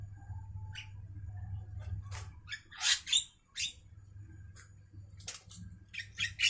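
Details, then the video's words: Javan myna at midday giving scattered harsh, rasping squawks and chattering notes in short bursts, separated by pauses, against a constant low background hum. "suara asli Burung jalak kerbau Siang Hari"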